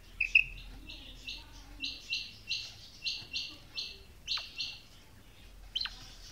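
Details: Female quail calling: a regular run of about nine short, buzzy high notes, spaced roughly a third of a second apart, followed by two quick downward-sweeping whistles.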